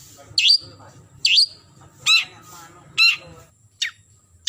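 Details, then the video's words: Long-tailed shrike (cendet) calling to a rival, giving a varied series of sharp, scratchy notes, some high and downslurred, spaced about a second apart over a soft low murmur. "Suara Burung Cendet Memanggil Lawan"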